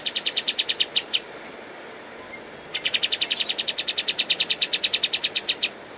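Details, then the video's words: A pied triller sings in a song-tutor recording: a rapid string of bright, high, evenly spaced notes, a short burst, a pause, then a longer run over faint background hiss. "Masteran Kapas Tembak Gacor"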